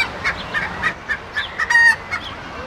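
A hen clucks in short, husky bursts about every quarter second, ending in a longer drawn-out squawk; faint background hiss.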